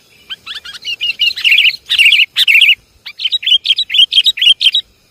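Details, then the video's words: Sooty-headed bulbul lure calls: bubbly, slurred chirping phrases rising and falling, a brief silence, then a neat run of repeated jaunty notes. "Suara pikat burung kutilang"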